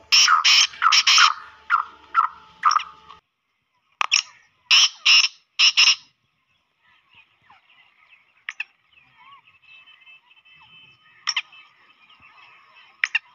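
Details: Black francolin (kala teetar) call meant to draw francolins in quickly and excite them: two bursts of harsh, grating, buzzy notes in rapid groups of about five. Quieter stretches in between carry faint thin whistles and clicks from other birds.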